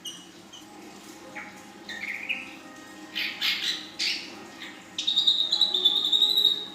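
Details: Young female ashy drongo singing in the style called nembak panjang: scattered short high chirps, a few buzzy bursts, then a long sustained high whistled trill held steadily for nearly two seconds.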